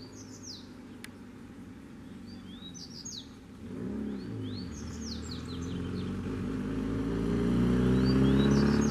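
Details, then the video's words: Double-collared seedeaters singing in a territory, a wild bird answering a caged bird: quick clusters of high, sharply slurred whistled notes repeated in bursts over a rising low rumble of traffic. "SERA QUE MEU COLEIRO CORREU? O SOLTO VEIO PRA MOSTRAR QUEM MANDA!!!"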